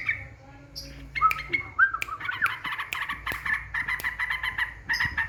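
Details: Lure recording of a yellow-vented bulbul meant to rile rival birds. Opens quietly, then has slurred whistled notes that bend up and down, breaking into rapid scratchy chatter. Sharp clicks are heard throughout.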